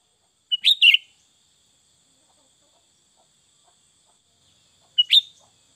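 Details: Sooty-headed bulbul (kutilang) giving short bubbly whistled bursts, one pair of notes near the start and another about four seconds later, with a faint high hiss between.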